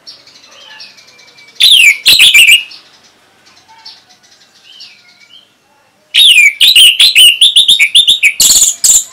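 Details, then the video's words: Song of an orange-headed thrush, played to coax young and stalled birds into answering: soft whistled slurs, then two loud bursts of rapid chattering, clicking notes mixed with bright high whistles. "ANIS MERAH ini Mampu Membuat Burung Bahan Maupun Macetan Bisa Langsung Nyaut Ngeplong"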